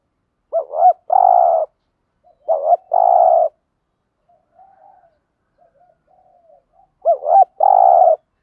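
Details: Spotted dove singing the standard thúc gù style, used to provoke wild doves into singing back: low cooing phrases, each a quick wavering double note and then a longer hoarse coo, repeated about every three seconds, with faint soft notes between.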